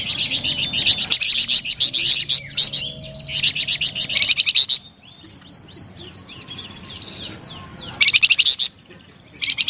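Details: A flamboyan bird sings melodiously in spirited bursts of rapid, high, chattering notes, with a varied softer passage of separate chirps in the middle and quiet gaps between phrases.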